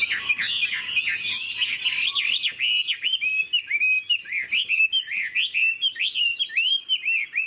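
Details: Chinese Hwamei, caged and about 90% pure, nodding in 'lion dance' style and playing its wings as it sings: loud, rhythmic whistled phrases, each a bright upward or downward slur, repeated almost twice a second.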